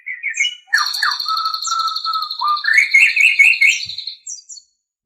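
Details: Murai batu song on a master recording for training captive birds: a long high buzzy trill runs over lower steady whistles and warbled chatter, ending in short high notes.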